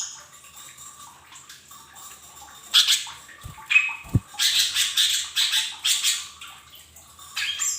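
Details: Lure song of a lesser green leafbird, played so caged birds sing sooner: after a quiet start, harsh squawky bursts come in quick succession, broken by two low knocks, then a steady run of raspy chattering phrases.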